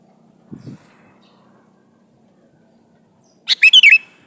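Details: Male sooty-headed bulbul calling a female: after near silence with a brief soft thump, one cheerful burst of four quick warbled notes.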